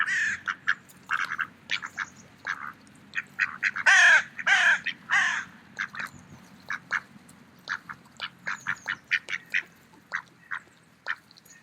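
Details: Autumn park scene of mallard ducks eating, with rapid staccato quacking throughout and a cluster of three loud, raspy, longer quacks in the middle.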